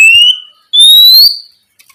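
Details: Oriental magpie-robin at night, part of a ngeplong lure to get young spotted magpie-robins singing; two long pure whistles, the second drawn out and slowly rising, then silence.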